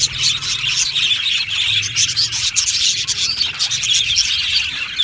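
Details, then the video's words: Many budgerigars in an aviary colony chatter at once, a steady high-pitched mass of chirps, twitters and brief squeaks with no quiet gaps. "Budgie parrot chirping sounds"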